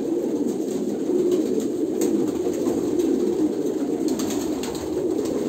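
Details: Kolkata pigeons producing overlapping deep coos in a constant hum, with a few scattered clicks and knocks.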